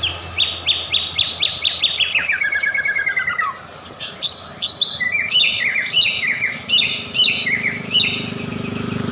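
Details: White-rumped shama song used as a lure to make other shamas sing: a rapid run of repeated whistled notes, descending trills, then varied sharp, ringing phrases, with a low background hum.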